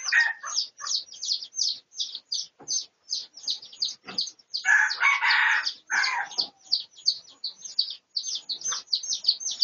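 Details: Red junglefowl recorded for research on 18 August 2023. One harsh, raspy crow of about a second and a half rises loud in the middle, surrounded by dense, rapid high chirping from other birds throughout.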